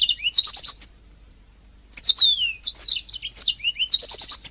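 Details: Canary song from a training master: high warbled runs with a sustained whistle, a short gap, then long descending slurs and chattering trills continuing to the end.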